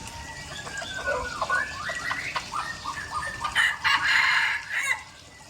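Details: Red junglefowl from Aceh in a new lure recording, several clucking and chattering notes around mid pitch repeated rapidly, a louder burst near the end, over steady forest background noise.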